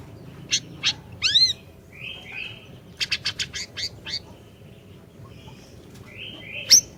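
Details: Orange-bellied leafbird in persistent song, used as a lure to start a silent bird singing: scattered high chips, a quavering slur, buzzy trills, and a rapid string of six sharp notes midway, over faint background hum.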